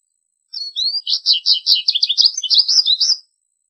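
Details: American goldfinch song: a rapid, continuous twitter of high, varied notes, some sweet and slurred, others short and buzzy, in a flowing warble of about three seconds on a quiet background.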